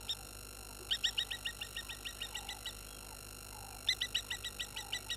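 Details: Water thick-knees upset by a baboon getting close at Gowrie dam waterhole, Djuma Game Reserve, Sabi Sand Wildtuin, South Africa, 11/03/21 at 16:50: two bursts of rapid piping, repeated notes, over steady electronic hum and faint lower calls.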